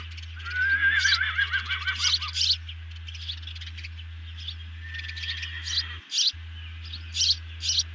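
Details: Osprey nest camera during a large evening meal, 18 June 2020. Opens with a wavering, quavering whistled call, then scattered sharp high chirps with a short gap, over low steady hum.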